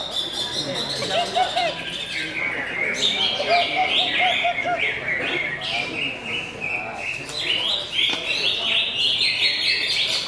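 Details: Greater green leafbird singing a dense, rapid run of varied chirps and whistled phrases, high notes jumping up and down, with lower warbled notes and overlapping chatter in the background.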